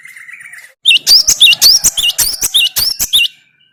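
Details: Gelatik batu, the cinereous tit, delivers a vigorous string of piercing whistled notes, each with a sharp upward twist, about a dozen in rapid rhythm after a quieter warbling lead-in.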